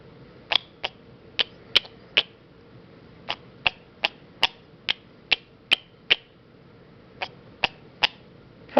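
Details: Female sun conure making kiss sounds: a run of short, sharp kiss-like smacks and chirps.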